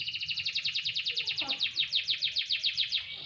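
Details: Sunbathing canary delivers a steady, fast trill of repeated down-slurred notes, about seven per second, bright and ringing throughout.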